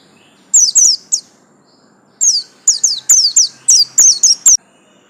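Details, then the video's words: Caged pleci buxtomi white-eye, a yellow-lined type, giving two high chirps, then after a pause a rapid run of about ten loud descending whistled notes. "absen garis kuning pleci buxtomi"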